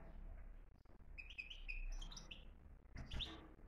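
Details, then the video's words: European goldfinch giving bursts of bright, liquid twittering, quick tinkling notes in two short runs, over a steady low rumble of background noise. "بتبتة قوية"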